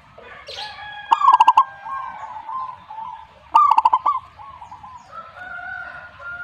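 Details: Zebra dove delivering two fast, pulsing coo phrases about two and a half seconds apart. Other birds add softer warbled and whistled notes throughout.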